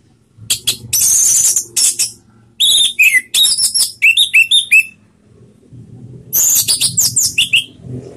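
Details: Orange-headed thrush sounds played as a lure to get other birds singing: hissing rasps, then a quick burst of bright, slurred whistles and scratchy notes, followed by more rasping phrases over a low hum.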